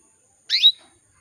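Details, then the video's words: Female canary calling to males, meant to excite male canaries: one quick, bright upward-sweeping chirp, clean and isolated against quiet background. "PANCINGAN KENARI BETINA MEMANGGIL JANTAN"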